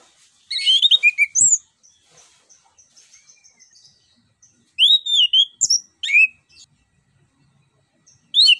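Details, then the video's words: Orange-headed thrush from Southeast Asian forests, singing to lure a silent bird into song: bursts of rich whistled and chattering notes with rising and falling slurs, separated by pauses with faint soft chirps. "PANCINGAN JITU ANIS KEMBANG GACOR NGEROL NGEPLONG"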